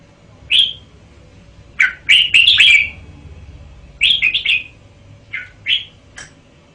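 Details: Lively song of a caged red-whiskered bulbul: crisp whistled chirps grouped into short, rapid warbling phrases, then scattered single notes fading out.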